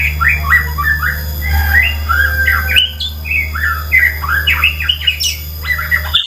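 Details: White-rumped shama song meant to spur caged birds into singing: continuous choppy whistled and chattering phrases over a steady low electrical hum and background hiss.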